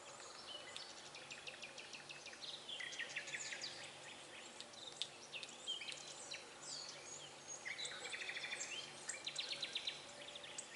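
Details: Nightingale singing by day at Kraljevica on 16 April 2020, a bird said to sing all day; faint, varied phrases of rapid repeated notes, sharp clicks and short whistled trills, with steady background hiss.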